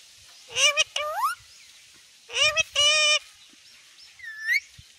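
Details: Talking pet parrot at home giving loud, nasal, rising word-like calls in three bursts, the last higher and thinner, over quiet background hiss.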